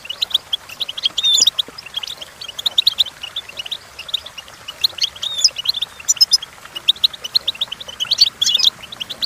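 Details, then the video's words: Goldfinch singing as a lesson for goldfinches: busy, tinkling twittering and short buzzy trills that carry on steadily, with occasional brighter, louder bursts. "The Entrancing Song of Goldfinches"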